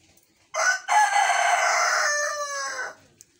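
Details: Rooster on a homestead giving an unusually lazy-sounding crow: a loud, harsh, harmonic-rich call of about two and a half seconds, opening with a short burst and a brief break, then a long flat drawn-out note that fades at the end.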